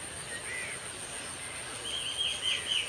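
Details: A red-vented bulbul sings from the top of a neem tree, giving a few short, bubbly whistled phrases at mid-high pitch. Under it runs a steady thin, high insect-like whine and faint background noise.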